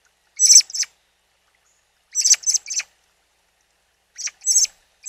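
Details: Young robin just out of the nest, calling beside its mother at a forest spring: short harsh, hissy high notes in groups of two to four, repeated every couple of seconds against silence.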